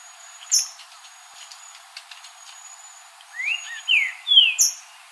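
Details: Wild green-winged saltator song in natural surroundings: high sharp chips and a faint steady insect-like tone give way to a rapid series of rich whistled notes sliding up and down.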